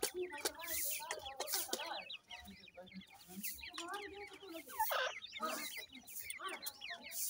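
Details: A flock of grey francolin chicks, irani teetar, with constant thin chirps and downslurs, punctuated by clucking low notes and broadband noise bursts.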